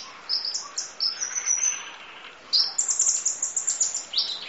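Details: Kolibri ninja (Van Hasselt's sunbird) singing a long-duration full isian nembak masteran: rapid strings of thin, very high whistled and trilled notes, stepping between pitches in quick bursts with a brief pause midway.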